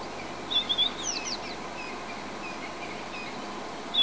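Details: White-browed Scrub-robin singing from a buffalo thorn at Djuma, South Africa, a song that holds its territory and attracts females: one quick phrase of bright whistled notes and down-slurred trills, then a new phrase starting at the end, over soft rural background.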